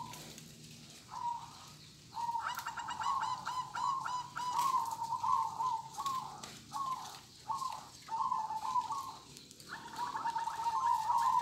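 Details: Local zebra dove singing kong-style, repeating short bubbling trilled coos in quick bursts, then longer rippling phrases, with a brief faint higher chirping series in the background.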